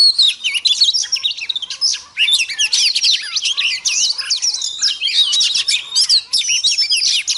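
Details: Female Oriental magpie-robin singing to rouse males: a continuous, dense stream of sweet whistled notes, rising and falling slurs and quick trills, barely pausing across the stretch except for one short break near two seconds.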